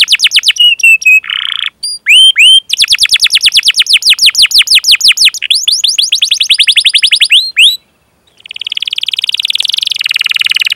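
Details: Canary master song with 'cuit cuit' chirps and 'ngerol' rolling trills, a lure for young or non-singing canaries: mixed whistles, long runs of rapid chirps, a brief silence, then a steady buzzy trill.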